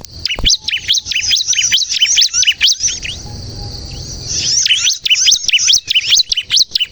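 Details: Bar-winged prinia, crystal type, singing as a lure to get other birds singing: dense bursts of quick high chirps, a quieter gap with low rumble in the middle, then the rapid chirping resumes.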